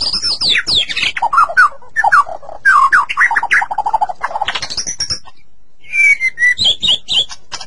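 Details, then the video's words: White-rumped shama song intended to get kept shamas singing: fast scratchy, mimic-like chatter and descending rattled notes, a brief silence, then a run of even whistles and sharp chips. "Suara Burung Murai Batu Masteran Durasi Panjang"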